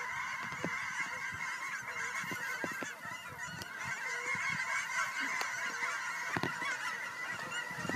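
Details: Flock of geese returning home to Fern Ridge, March 4, 2012, recorded on a quiet walk: a constant wall of overlapping honking from many birds, with scattered nearer, clearer calls and soft clicks over eight seconds.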